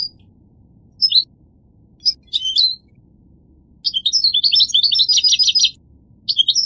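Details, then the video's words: Goldfinch giving short isolated chirps, then a long rapid twittering phrase of high, liquid notes and buzzy trills, followed by a brief restart. "The Resonant Chirping of the Goldfinch Bird"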